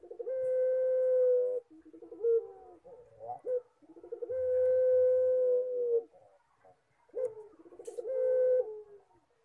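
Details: Puter pelung collared dove cooing in its drawn-out "horror" style, with two long level hooting tones, each led by quick pulsing notes and followed by shorter broken coos.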